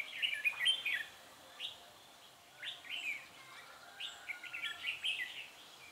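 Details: Red-whiskered bulbul singing during a trapping session on 10 December 2016, a decoy bird calling in wild birds; short bright warbled phrases with quick rising and falling notes, given in three bursts separated by brief pauses.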